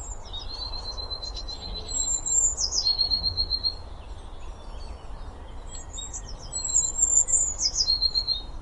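Eurasian blue tit singing high, thin notes that run into a quick silvery trill, the phrase repeated about every four seconds over a low background rumble.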